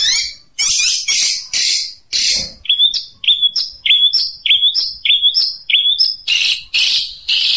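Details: Long-tailed shrike in the 'tembakan unik' song style: several loud, harsh, scratchy bursts, then a series of short, sharply rising whistled notes, roughly two per second, ending in more rasping phrases.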